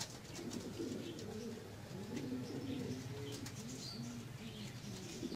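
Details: Pomeranian pouter pigeons, a fancy breed descended from the rock pigeon, give low overlapping coos and rolling murmurs throughout, with scattered faint clicks and rustles.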